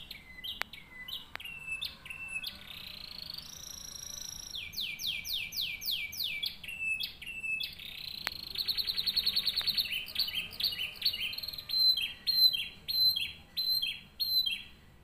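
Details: Canary song offered as a model for training other canaries: a fast, varied run of bright trills, rapid downslurred notes and buzzy rolled tours, switching to a new phrase every second or so, high and clean with little background.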